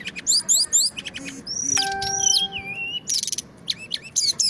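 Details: Loud, dense song of the Brown-chested jungle flycatcher from Indonesia: clustered high buzzy trills, then a long wavering whistled note held for over a second, joined by a steady tone, and more rapid trill bursts.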